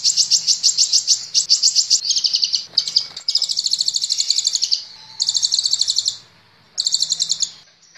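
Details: Kolibri Ninja sunbird song used as training audio for caged birds: rapid, high, buzzy trilled phrases of pulsing notes in quick bursts, with short pauses between runs.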